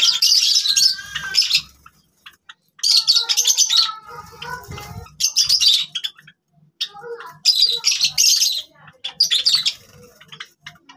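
Java sparrow song: bursts of high, chattering clicks and chirps lasting a second or two, mixed with soft bell-like notes and separated by short pauses.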